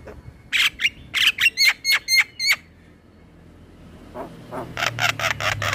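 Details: Male black-winged starling (jalak kebo), lively singer used as a training lure: a quick series of about nine sharp, clipped notes, then after a pause a rapid harsh chattering run.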